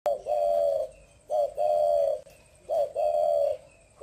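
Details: Spotted dove cooing, kept by Vietnamese bird enthusiasts: a short clipped note followed by a long, steady, low hollow coo. The phrase repeats about every 1.3 seconds in a quiet indoor setting.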